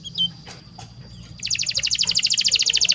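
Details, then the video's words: Canary master song for teaching young birds. Faint scattered chirps and low background hum come first, then a loud, fast, even trill of short bright notes starts midway and continues to the end. "SUARA BURUNG KENARI PANCINGAN MASTERAN PAUD BIAR GACOR PANJANG"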